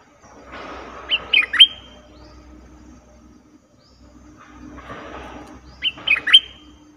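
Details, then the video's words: Cream-vented bulbul call used as a trapping lure: two short bursts of three sharp, upward-flicking chirps a few seconds apart, over a soft hiss and a low rumble. "Suara pikat merbah lekir"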